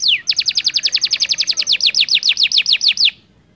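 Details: Canary tutor song for training other canaries: one long swoop, then a crisp trill of about twenty evenly spaced falling notes over three seconds, stopping abruptly.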